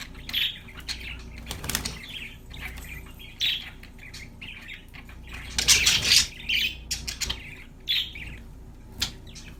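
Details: Budgies chirping in irregular bursts of scratchy notes and one louder harsh squawking flurry midway, with a steady low hum in the background.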